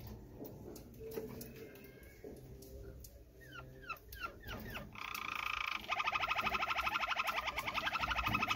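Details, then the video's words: Malinois canary song tied to mating: scattered clicks and slurred rising whistles at first, then from about five seconds a fast, even, rolling trill of rapidly repeated notes continuing to the end. "chant canar malinoi stem"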